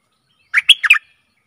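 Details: One quick phrase from a Stripe-throated bulbul used as a decoy for aggressive wild birds: four rapid, bubbly whistled notes lasting half a second, in silence.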